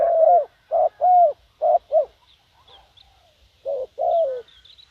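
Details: Decoy spotted dove calling wild doves in: a short series of deep, rounded coos, some doubled, then a pause of about a second and a half before two more falling coos. Faint thin chirps sound in the background.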